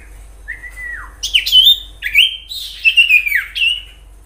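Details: Common iora singing in the wild, used as a lure to get other ioras calling: a clear whistle sliding down, then loud, rich whistled notes that rise and fall in quick succession.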